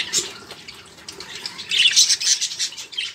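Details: Lively budgerigar chatter for prompting caged songbirds: quick rasping chirps, quieter at first, then a louder cluster of harsh squawks in the second half.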